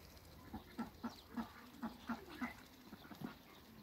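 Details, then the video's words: Muscovy ducks, two males and one female, kept in a backyard, meeting; a series of short low hoarse calls repeated roughly every third of a second, with faint background noise. "MEETING TWO MALE ONE FEMALE MUSCOVY DUCKS"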